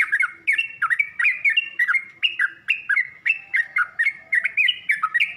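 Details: Yellow-vented bulbul song played as a training recording for young birds learning to sing: a rapid run of bubbly, liquid whistled notes in quick phrases, each note dipping and rising, repeated almost without pause.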